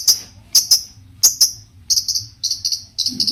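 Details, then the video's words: Long-tailed shrike (cendet) singing a lively, varied song that sets other shrikes off answering. High sharp chips come in pairs and triplets, then turn into quicker stuttering, buzzy bursts. "cendet gacor Variasi BIANGNYA bikin cendet lain emosi ikutan bunyi langsung NYAUT"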